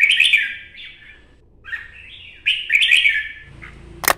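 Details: Red-whiskered bulbul, a wild-caught adult from Quang Nam forest in Vietnam now kept in captivity, giving two bright, slurred, warbling phrases separated by a short pause, followed by a sharp click at the end.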